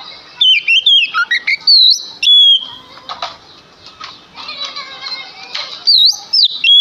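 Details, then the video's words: Male Oriental magpie-robin, a lure bird said to sing constantly, used to provoke other magpie-robins into answering. Loud clear whistled notes that slide up and down come in short bursts, with a fainter, busy chattering warble between them. "Sekali Dengar Kacer Langsung Nyaut Dengan Pancingan Kacer Gacor Ini"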